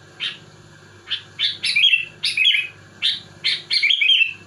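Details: Sooty-headed bulbul singing to pressure opponents: spaced sharp chirps building into two bubbly, warbling phrases, each a half-second of liquid notes, over a steady low hum.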